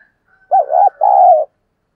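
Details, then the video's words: Spotted dove decoy bird calling to lure wild doves: a loud two-part cooing phrase, a wavering double coo followed by a longer smooth coo, with a faint higher note beforehand and silence after. "cu gáy mồi cây gáy gọi giọng chuẩn"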